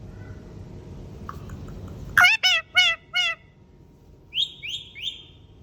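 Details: Pet green ringneck parrot (rose-ringed parakeet) talking: four loud, harmonic syllables in quick succession, then three fainter, high, rising chirps, all over a steady low background hum.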